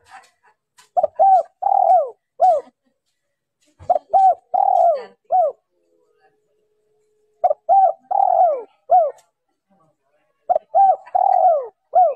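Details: Female spotted dove calling to stimulate males: low, mellow cooing phrases of several hooting notes ending in a drawn-out falling coo, repeated roughly every three seconds, with faint clicks between phrases.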